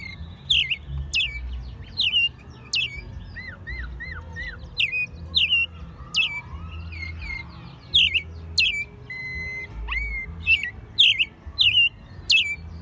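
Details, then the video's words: American robin kept at home in Mexico City since it was a chick, recorded in March 2020 in its second singing year; rapid series of short slurred whistles with squeaky high tops, nearly two per second, over low background hum. "Mirlo Primavera, el pájaro melómano cantando en CDMX"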